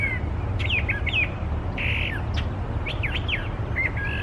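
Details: Wild Brown Thrasher, a species known for imitating other birds, singing its heart out. Varied phrases mix sharp down-slurred whistles, chirps and one harsh buzzy note, with brief gaps between them, over low background rumble.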